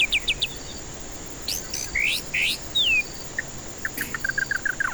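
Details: Lure song of a white-rumped shama, meant to prompt stressed birds into singing: short high notes, then loud slurred whistles and a long descending whistle, ending with rapid clipped chips repeated several times; a steady hum underneath.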